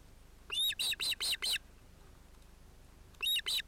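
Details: Osprey on a nest holding two ringed young, probably males, 31 July 2018, with a chick breaking in on the adult male and female; a burst of five bright, ringing chirps, a pause, then three more.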